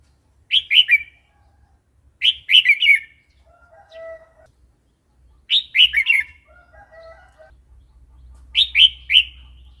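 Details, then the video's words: Red-whiskered bulbul wild-style song for teaching young and wild-caught birds: cheerful three- to four-note warbled phrases about every three seconds, with soft lower chirps from another bird between them and faint background rumble. "เสียงนกกรงหัวจุก เพลงป่า"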